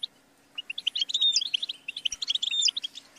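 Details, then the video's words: Goldfinch song starting after a brief silence: a rapid tinkling series of high chirps with a few thin whistled slides woven through the twittering. "The Motivating Anthem of the Goldfinch Bird"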